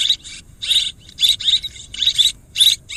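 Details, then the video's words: Swiftlet calls: short twittering bursts of high, scratchy chirps, about a third of a second each, repeated roughly every half second with brief silent gaps; no other sounds. "ສຽງນົກແອ່ນ ຄໍເລດ Tiếng én, Tiếng Chim Én เสืยงนกแอ่น คอเลด"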